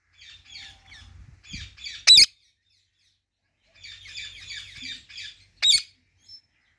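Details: Indian ringneck parrot keeping up a busy, scratchy twittering chatter in short bursts, broken by two sudden loud shrill shrieks.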